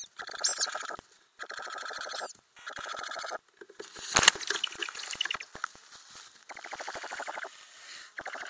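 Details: Ural owl inside a nest box with growing owlets, filmed by a camera under the box lid in May 2020; buzzy, harmonic bursts about a second long, repeated with short gaps, interrupted by a sharp loud click.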